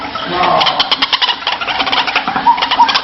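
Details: White-breasted waterhen call, used as a lure to draw the bird out of its nest or hiding place: dense, harsh, rapidly repeated croaking pulses throughout, with two short whistled notes near the end.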